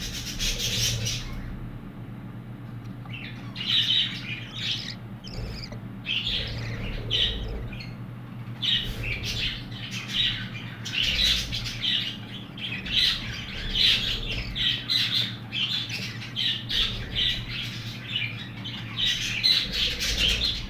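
Young budgerigars chatter with dense, scratchy chirps and squawks, calling almost without pause.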